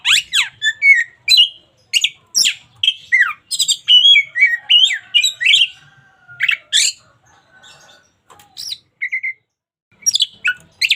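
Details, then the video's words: White-rumped shama, local type, singing a lively sequence of squeaky chirps, sweeping whistles and chattering notes, thinning out toward the end before a final burst. "KACER LOKAL GACOR SUARA UNIK COCOK UNTUK MASTERAN HARIAN!"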